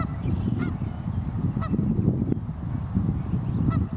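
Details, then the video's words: Geese on the Pend O'Reille River on a freezing North Idaho morning give a few separate nasal honks, about one every second, partly buried in a constant deep roar of water and wind. "The Song of the Geese II"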